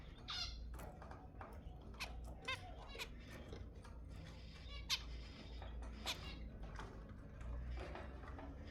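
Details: Zebra finch calls meant to stimulate breeding: repeated short, nasal harmonic beeps, roughly one every half second to second, over a continuous low hum.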